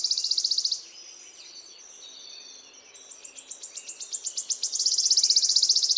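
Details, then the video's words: Small bird song for training songbirds. A fast, high trill opens, then soft warbled notes follow. A series of sharp, quickly repeated descending chips builds into another loud, rapid high trill. "kicauan burung kecil cocok buat masteran"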